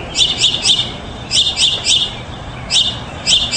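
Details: Mockingbird singing grouped bursts of two or three sharp chattering notes, separated by short pauses, over a light background hiss.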